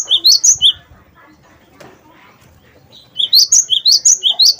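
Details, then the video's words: Ringing song of a gelatik batu wingko: quick high whistled doublets, each note sliding upward, delivered in bursts at the start and end, separated by a quiet gap with faint low background sounds. "gelatik batu wingko gacor"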